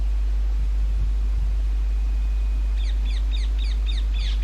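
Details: At a railway-bridge nesting site in summer breeding season, a rose-ringed parakeet gives a rapid run of about six shrill, downward-bent screeches near the end, after quiet low rumble.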